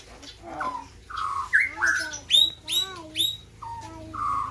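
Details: White-rumped shama from Gayo land, Aceh, singing in the run-up to the 2021 Presiden Cup bird competition: varied whistled notes, some slurred and falling, sharp upswept chips, with a low hum and people talking in the background.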